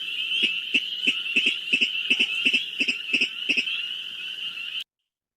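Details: A Virginia rail in a wetland in spring gives its repeated, not very loud, insect-like dry staccato 'ticket' notes, about three a second and often paired, over a steady high chorus of spring peepers.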